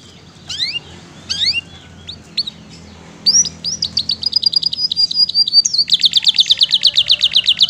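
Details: Canary with a rich repertoire, recorded for a long training track: a few separated chirps, then a thin rising series that builds into a fast, even trill of crisp notes repeated several times a second.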